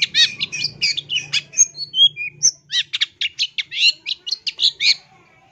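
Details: Energetic, loud long-tailed shrike song recorded for training: scratchy chatter, clear downward whistles and a short pure note, then a rapid string of sharp, clipped notes, with a soft low hum at first.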